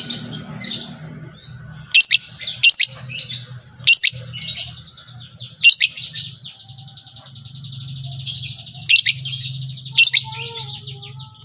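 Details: Long-tailed shrike, recorded to make other shrikes sing, gives scattered scratchy bursts and buzzy trills amid a steady low hum and faint softer background chirps.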